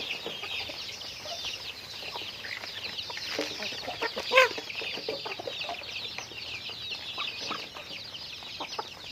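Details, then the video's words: Chickens busy with daily activity, many overlapping high chirping calls throughout, with one abrupt loud note just past four seconds. "Natural Sounds of Chickens"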